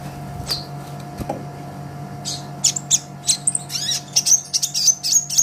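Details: Olive-backed sunbird, green-type, used for songbird training: after a noisy start with a couple of knocks, a fast run of high, thin, sharp chirps and twitters fills the second half over a steady hum.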